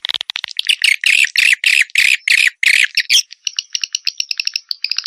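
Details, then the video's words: Swiftlet lure recording from 2021: a run of rasping harsh squawks in quick succession, then a switch to fast, thin, high ticking chirps. "SUARA SUPER PANGGIL WALET"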